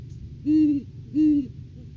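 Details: Great horned owls during courting season at the nest tree in January, a male bringing a rodent food gift to the female: two low, steady hoots about three quarters of a second apart, each with a slight rise and fall.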